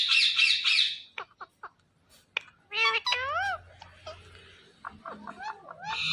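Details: Indian ringneck parrot, a talking household pet, opens with a loud raspy squawk, then clicks, wavering whistled notes and short chattering sounds, ending on another harsh squawk.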